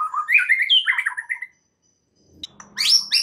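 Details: White-rumped shama song played as a lure to trigger another shama's complete repertoire. Varied chattering and whistled notes jump between pitches, pause, then resume with sharp high squeaky notes.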